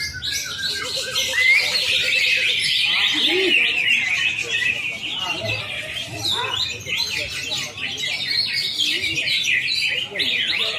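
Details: Greater green leafbird singing in a simulated singing contest: a dense, rapid stream of varied chirps, trills and squeaky notes, high-pitched and continuous, with faint background voices.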